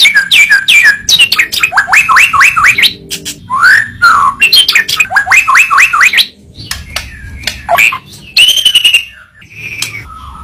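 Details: White-rumped shama (murai batu) training song: varied, rich phrases of fast rising and falling whistles, quick stuttering trills and slurred notes, broken by short pauses, with a long steady whistle near the end.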